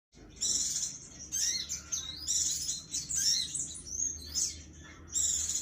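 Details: Sooty-headed bulbul, a vocal bird in fighting mood, delivering bursts of high, rapid twittering and chirping phrases separated by short pauses, with loud stretches roughly every second and no other clear sounds.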